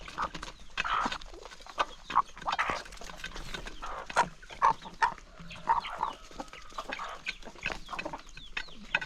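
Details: Hungry chickens at their first meal of the day on a calm countryside morning; repeated loud clucks in bursts about every second, with pecking clicks between.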